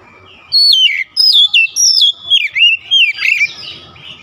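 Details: Kacer, the Oriental magpie-robin, singing to rouse other kacer birds: a steady run of about eight bright whistled notes, each sliding downward, delivered in quick bursts roughly every half second.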